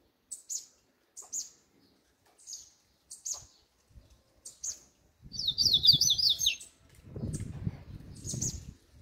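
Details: Double-collared seedeater performing the 'grego' song style: a series of clipped, very high paired chips, then a quick, rattling trilled phrase of just over a second over low background rumble, ending with more chips.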